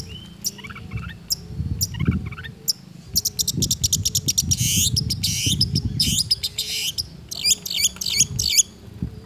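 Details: A long-tailed shrike in full song, copying other birds' voices without pause: a few soft warbled phrases, then rapid dry buzzy trills and hissing bursts, ending in sharp looping whistles.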